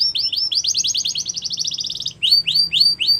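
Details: Yellow canary singing in the wild, a fast rolling trill of rapidly repeated notes lasting about two seconds, then a few well-spaced, sweeping whistled notes.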